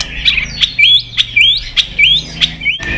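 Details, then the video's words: Agitated white-rumped shama singing a fighting song while snapping its tail: short rising whistled slurs alternate with sharp dry clicks, repeating roughly every half second over a faint low hum. "chòe Lửa đập đuôi tạch kích căng, kích Chòe Lửa hót đấu căng lửa.chòe Lửa hót giọng dài"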